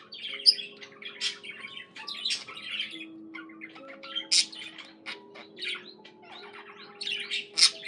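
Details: Singing budgie delivering rapid high chatter of scratchy squawks and squeaky chirps in bursts, with sharp peaks near half a second and over four seconds, over soft sustained low tones in the background.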